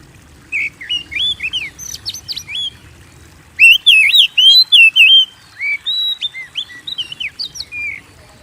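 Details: White-rumped shama song used to provoke kept birds into singing: bursts of clear whistled, slurred notes and rapid high chips, in two phrases separated by a short pause.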